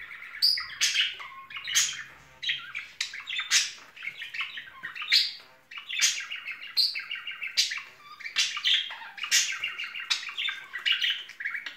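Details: Courting pair of pet budgerigars in springtime keep up a long, continuous chattering warble of clicks, buzzy trills and high chirps with almost no gaps.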